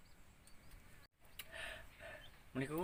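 A starling imitating human speech: a short cough-like rasp, then a voice-like greeting with a rising, speech-toned end. Low background hum throughout.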